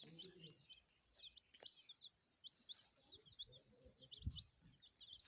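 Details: Chicks peeping in short, high chirps that come at an uneven pace, about once a second. Low rumbling sounds and a brief thump can be heard in the background.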